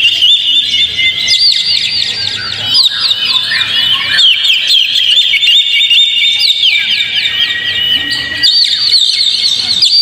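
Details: High, busy warbling of an Oriental magpie-robin, used as a lure so a caged bird will sing. Rapid chirps and sweeping whistled slurs pour out without pause, with some downward trills near the middle.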